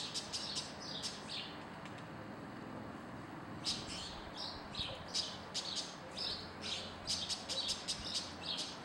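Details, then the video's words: A White-banded mockingbird (Calandria Real, Mimus triurus) sings a rapid, varied string of high chirps and short whistled phrases, two or three notes a second, over a steady background hiss. "CALANDRIA BELLA !!! Calandria Real (Mimus triurus)"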